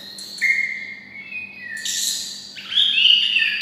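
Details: White-rumped shama, raised near red-whiskered bulbuls, gives their kind of song: steady clear whistles, a slight upward step, then a louder bright warbled phrase at the end.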